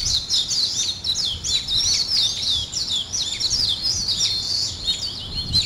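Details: Several birds sing at daybreak, a busy chorus of sharp high tweets and swooping chirps with no gaps between phrases.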